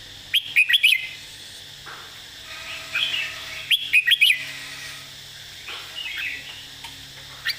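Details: Red-whiskered bulbul in a clearly phrased master song: a four-note whistled burst repeated after about three seconds, each followed by quieter warbling, with a faint note at the very end.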